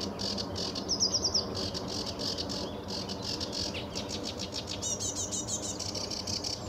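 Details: Sedge warbler at RSPB Fowlmere, early morning, July 2013, sunny: a short run of thin whistled notes, then long stretches of fast, scratchy chattering and buzzy phrases.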